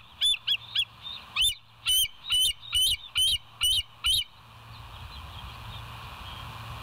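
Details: Bald Eagles at the West End nest on a live nature cam, 25 September 2023 at 7:00: a series of about ten loud, high piping notes, each with a quick wavering pitch, given in quick succession. A steady low hum persists underneath.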